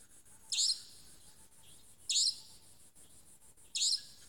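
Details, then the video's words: Savanna nightjar calling at dusk in Tmatboey forest, Cambodia, on 18 February 2018: three sharp, high, rasping screeches, each about a quarter second long, spaced roughly every 1.6 seconds over a quiet background hiss. "Savanna Nightjar vocalizing"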